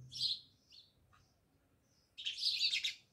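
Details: House sparrows living near a village house at Jamnagar: a short burst of chirping, a quiet pause, then a louder tangle of overlapping chirps from several birds.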